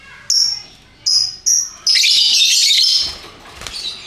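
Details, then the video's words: Colourful lovebirds in ngekek song: three clipped piercing whistles, then a loud, unbroken shrill chattering burst fading to soft twittering. "Burung Lovebird Rupa Rupa Warnanya, Burung Paruh Bengkok, Bunyi Ngekek Gacor"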